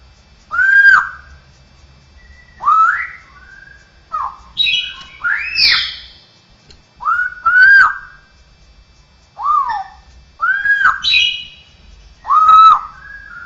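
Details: Cucakrowo, the straw-headed bulbul, singing an isian song with strange mimicked sounds of other birds, cats and people; varied loud whistled and slurred notes, some buzzy, delivered in separate bursts every second or two.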